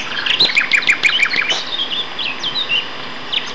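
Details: Male nightingales duetting near Peterborough at Castor Hanglands, May 2012; a fast run of repeated chirping notes about three per second slows into sliding whistles and a soft falling phrase.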